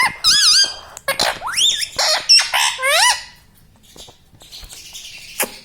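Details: Talking pet parrot repeating "mummy papa": a clear run of wavering and rising voice-like syllables for about three seconds, followed by quiet background with faint rustling.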